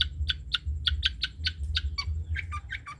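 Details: Long-tailed shrike of the trotol type giving a steady series of short scratchy notes, about four per second, the later ones dropping lower, against a loud low hum.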